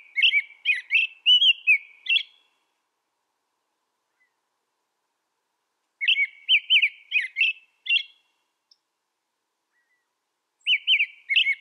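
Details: Three bouts of American robin song separated by quiet gaps, each a rapid string of six or seven short, liquid whistled phrases rising and falling.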